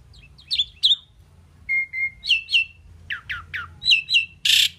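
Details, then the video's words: Talking Indian pied myna able to say words, uttering a busy run of chirpy descending notes, flat whistled tones and short clipped syllables, ending in a harsh noisy squawk, over faint room hum. "Amazing Talking Indian Pied Mynah Bird"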